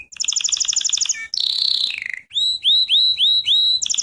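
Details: Canary song from a singing lesson for training: a fast bright trill, a buzzy falling phrase, then five clear upslurred whistles repeated about every quarter second, ending in a renewed trill.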